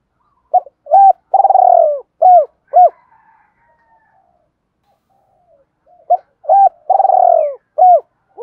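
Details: Spotted dove giving the Vietnamese 'thúc đấu' fighting coo, used to lure wild doves when trapping; two bursts of clipped hooting notes, each with a longer drawn-out, slightly falling coo in the middle, separated by a quiet gap.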